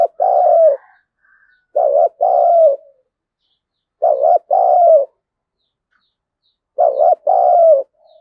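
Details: Spotted dove used as a lure bird to provoke wild doves into fighting, in the thổ voice style. Four loud, low cooing phrases, each a quick double note followed by a longer falling coo, spaced about two seconds apart over silence.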